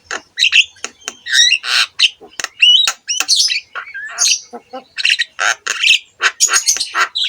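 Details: Javan myna (jalak kebo) in full, vigorous gacor song, used as a master recording to coax other mynas: a fast jumble of harsh squawks, clicks and short rising whistles with brief pauses between bursts.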